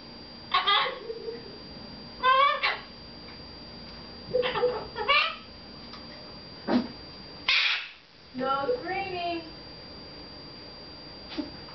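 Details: Indoors, a pet red-fronted macaw talks to the people in the house: a series of short wavy harmonic phrases, some stepping downward, with a noisy hiss burst partway through.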